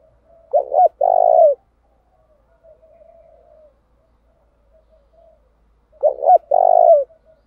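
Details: Decoy spotted dove calling to bring in wild doves, changing its song pattern often; two loud phrases about five seconds apart, each a short hiccuping pair of notes leading into a sustained tremulous coo, with quiet soft cooing between.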